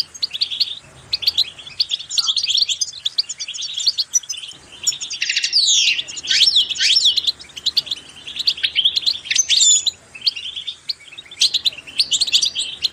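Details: Goldfinch song played to encourage other goldfinches to sing: a rapid, continuous twittering of high bright chirps, trills and quick up-and-down slurred notes, with several denser bursts around the middle and brief pauses between phrases; no other sounds.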